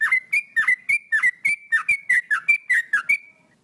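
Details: Male sooty-headed bulbul giving a steady run of about twelve clear whistled notes, each a short dip followed by a level tone, delivered evenly before fading out.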